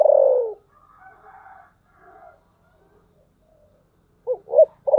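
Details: Spotted dove cooing in the voice style called thổ sấm: a loud low coo that slides downward, then a pause with faint murmurs, then a quick series of short, deep coo notes at the end.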